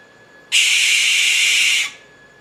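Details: ['Barn owl giving a single harsh, hissing screech that lasts over a second, loud and steady from start to end, then cut off abruptly.']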